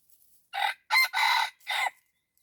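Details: Red junglefowl, a decoy used to lure wild birds, giving one clean crow of four loud harsh syllables, the middle ones longest and run together, ending in a shorter final note, against near silence.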